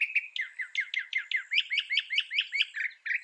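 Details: A mockingbird delivers a fast run of chirps, downslurred notes giving way to rapid rising and falling slurs, about two per second or faster, with no pause.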